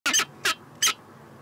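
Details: Peregrine falcon recorded in Montreal, Canada, in 2017: three harsh, rasping broadband notes. The first is doubled, and they come in quick succession within one second over a quiet background.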